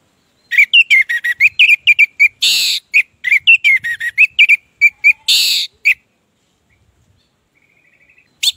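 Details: Singing orange-headed thrush used as a lure for silent birds: about five seconds of fast, varied whistled phrases and twitters, with two broad harsh buzzy bursts woven in, then near quiet with a faint thin trill and one final note.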